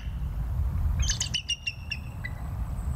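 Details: Bald eagle at Decorah filmed by a live nature cam on 21 November 2022 at 19:20: a quick series of high, thin piping notes stepping downward, then one late fading note, over steady low wind rumble.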